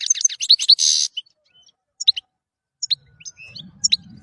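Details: European goldfinch song used as training material for songbirds: bursts of high twittering notes and a buzzy rasp, then scattered sharp chirps separated by pauses, with faint low rumbling late on.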